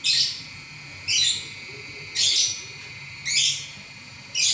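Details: Prize-winning lovebird in nonstop song: loud, rasping high chirp bursts, each lasting a fraction of a second, repeated very regularly about once a second.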